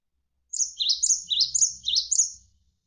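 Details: Javan sparrow (gelatik wingko) tutor song for contest birds, described as tight and rapid. One continuous two-second run of high chirps repeatedly swoops downward in quick succession over faint running water.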